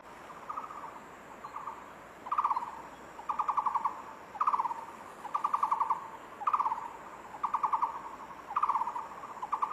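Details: Barbet, locally called takur bukit, singing: low pulsed trills in short bursts, often paired, repeating roughly every second with loud and softer phrases alternating, over a steady high-pitched hiss in the background.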